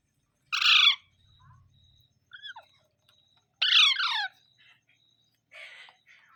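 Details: Parrot utters a grating squawk, a brief whistled note, then a long falling screech and a softer rasp, with a faint steady tone in the background.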